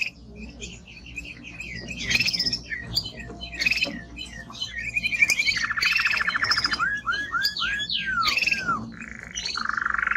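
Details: Strong male timbrado canary singing a varied song: mixed chirps and high sweeps, a low rolling trill, a string of falling curved notes, then a steady buzzy trill at the end.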